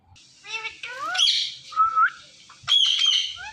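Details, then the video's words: Indian ringneck parrot mimicking words: a loud run of harsh, harmonic squawks and bending, slurred syllables with rising and falling glides, broken by a few short pauses and ending in a sustained squawk. "Mitthu Parrot Talking"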